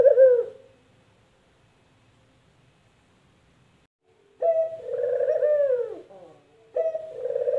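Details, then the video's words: Spotted dove, the puter, heard after a long silence giving one full trilled, falling coo and the start of another, with a faint tail of an earlier coo at the start. "Suara Burung Puter Empukjeruu"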